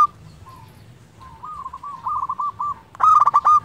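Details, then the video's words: Local zebra dove song recorded to prompt lazy doves to sing: quiet, sparse coos grow into a rapid cooing run, then a loud, harmonic, stuttering phrase near the end. "Perkutut lokal gacor pancingan untuk perkutut malas bunyi"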